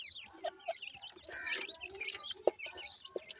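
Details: Grey francolin (teetar) chicks calling: many high, thin, upslurred peeps overlap in a busy chorus, with a few lower clucking notes and scattered clicks and knocks.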